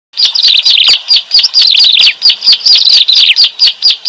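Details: Bar-winged prinia, given as a call used to lure birds for trapping: loud, rapid chattering of sharp high chirps and trills, continuous bursts with short pauses, no other sounds.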